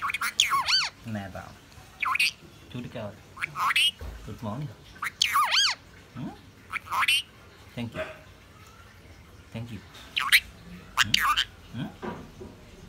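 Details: Talking pet parrot in Sri Lanka saying "My name is" followed by its name: repeated short speech-like phrases mixed with high whistled squawks, several separate bursts over thirteen seconds, indoors with background noise.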